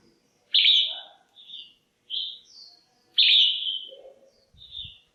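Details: Caged female red-whiskered bulbul calling to excite males or attract a mate: two loud, sharp whistled bursts about two and a half seconds apart, each followed by softer fluty notes; faint low chatter and a brief thump.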